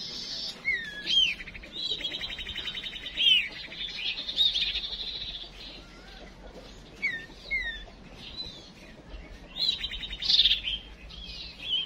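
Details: Decoy calls of a female chim chuyền songbird, used to stir males into song: repeated high whistled upslurs and fast buzzy trills in phrases every couple of seconds.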